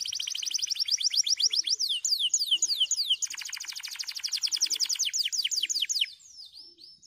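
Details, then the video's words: White canary on dry stalks singing loud tours: a fast rattling trill, then slower descending whistled sweeps, another long buzzy rapid trill, finishing with soft slurred looping notes. "Singing Canary Beautiful White Canaries and dancing on dry stalks to a beautiful song"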